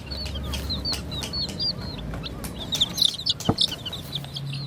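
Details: Young chicken chicks peeping while a toy jeep is placed among them: short high peeps, many falling, in quick runs with brief gaps, several birds overlapping, over low steady background rumble and a few clicks.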